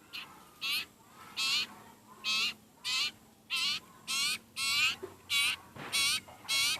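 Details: Very hungry sirpu (sirtu) begging with a steady series of about ten coarse, raspy calls, each short and harsh, repeated at under a second apart.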